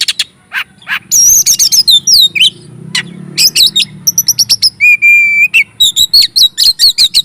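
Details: Kacer, the Oriental magpie-robin, singing loudly ngobra style as a trigger to fire up other magpie-robins: varied fast chirps, swooping whistled slurs, a held pure whistle and dense rapid phrases.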